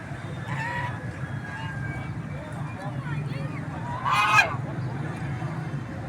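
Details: Geese in nature honking while eating food; a few nasal honks early on and a louder harsh honk near the end, over steady low rumbling background noise.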